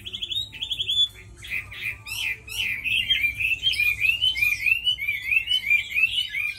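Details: Tame Chinese hwamei kept as a fighting bird, singing: two short whistled trills, a pause, then a long run of loud, rapidly varied whistled notes sliding up and down, continuing without break to the end.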